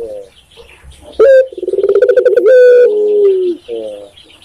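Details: Spotted dove, known in Indonesia as tekukur, recorded in Indonesia: a sharp opening note, then a rapid bubbling run of pulsed coos leading into a long, steady, low coo that slowly falls. A softer coo closes the phrase.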